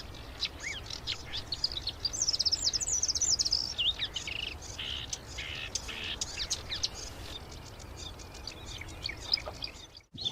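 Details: Continuous marsh warbler song rich in imitated notes: a fast, rambling stream of high chirps, trills and whistled slurs, busiest in the first half, then sparser clicks and ticks, ending abruptly.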